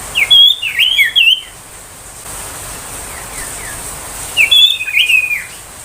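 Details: 'Tembakan' song of the ashy tailorbird, used as a lure and tutor for young tailorbirds and magpie-robins: two short bursts of quick twisting chirps separated by a pause with faint distant notes.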